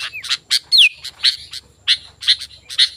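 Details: Lively sooty-headed bulbul used to call wild bulbuls: a brief falling whistle, a louder sweeping whistle, then spaced bright chirps, with faint low hum underneath.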